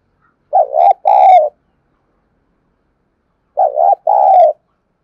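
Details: Decoy spotted dove calling to draw wild birds into cooing: two identical low two-part coos about three seconds apart, each a quick wavering note then a fuller held note, in an otherwise silent setting.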